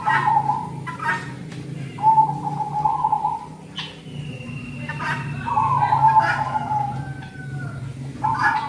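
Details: Luring song of a zebra dove for the cold season: trilled, rolling coos of about a second each, recurring every couple of seconds, with a constant low rumble and a faint higher whistled note in the background.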